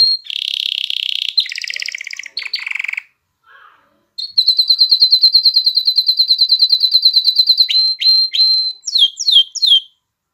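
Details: Canary singing to rouse females for mating and encourage chicks to sing: dense buzzy rolls, a pause, then a long fast run of sharp high chips ending in swooping whistles.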